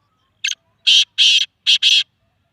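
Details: Harsh rhythmic call of a black francolin from Sindh, Pakistan: a short clipped note, then four loud rasping notes in a pattern of two longer and two quick, all over quiet silence.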